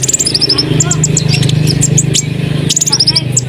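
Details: Asian pied starling singing energetically to provoke other birds into singing along: rapid high chirps and short whistled notes in quick bursts over a steady low hum.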